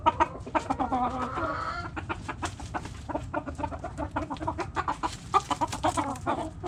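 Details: Backyard hens clucking busily, many short rapid clucks overlapping in a flock, with a brief rising drawn-out call early on and faint low rumble.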